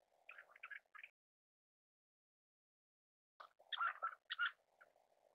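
Black-necked Grebe giving two quick bursts of squeaky, chittering notes a few seconds apart, over a low steady hum.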